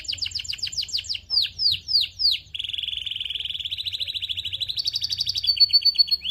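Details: Canary song aimed at stimulating other canaries: rapid chirps, four louder descending whistles, then a long rolling trill that steps up in pitch before ending on a steady tone.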